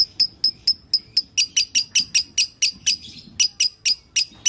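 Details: Pet lovebird gives loud, piercing chirps, first spaced apart, then faster at about three per second, with a short gap before the series resumes.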